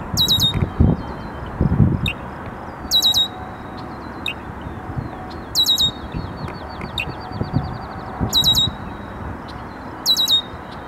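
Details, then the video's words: Male red-winged blackbird defending his perch near a pond as territory, McDowell Grove Forest Preserve, DuPage County, Illinois, June 8, 2015: short sharp metallic notes every few seconds, one ending in a long buzzy trill, over steady low rumbling background noise. "A male Red-winged Blackbird sings."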